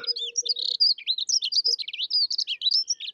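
A dunnock sings a thin, hurried warble of high, squeaky notes that runs on without a break for about three seconds, with a faint low hum at the start.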